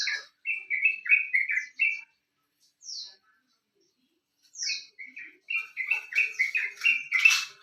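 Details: Sooty-headed bulbul singing, used as a lure recording to get birds singing sooner: a quick string of bubbly whistled notes, a few seconds of near-silence with isolated high slurred notes, then a busier burst of chattering phrases.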